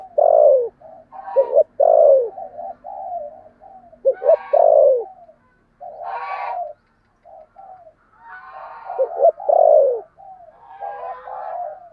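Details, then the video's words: Decoy spotted dove, 'thổ' voice, calling to draw in other doves. Several stuttered double notes and deep falling coos, mixed with softer hooting and throaty rolling notes. A faint low hum runs underneath. "Chim Cu Mồi giọng THỔ"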